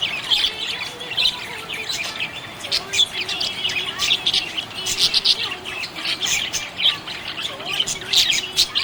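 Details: Lively budgerigar chirping: a constant stream of bright, high-pitched chirps and squawky notes in quick succession, with occasional louder bursts.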